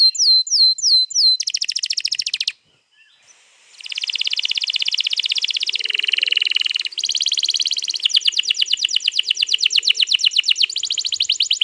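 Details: Canary, 21 April 2022, in long rolling song used to draw another canary into singing: a few clear slurred whistles, a short gap, then long stretches of rapid rolling trills.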